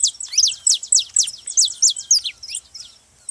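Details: Saffron finch, called canário-da-terra, singing to encourage canaries to sing: a fast, strong series of high descending chips repeated about four times a second, fading away toward the close.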